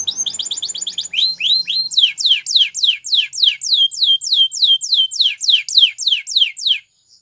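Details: Training song of a Spanish Timbrado canary: a quick chatter opens into evenly spaced downward-sweeping whistles, roughly three to four per second, then falls silent near the end.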